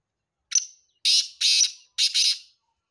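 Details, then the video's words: Grating call of a black francolin from Sindh, Pakistan: a short thin note followed by three loud, rasping buzzy notes, the last one doubled, all within two seconds against silence. "Kala Teeter sindh Pakistan"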